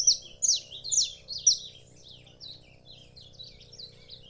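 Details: Saffron finch singing: a quick series of high, sharp chirped notes, loud at first, then fading into softer repeated twitters, over a steady low hum.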